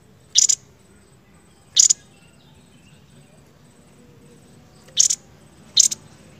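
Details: Seniper song for masteran training from Indonesia: four sharp high chirp bursts spaced one to three seconds apart over a quiet background with a thin continuous high tone.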